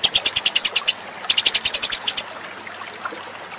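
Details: An Eurasian tree sparrow lure call gives two bursts of rapid, high, bright chirps, about eight to ten a second, separated by a short pause, over quiet background hiss.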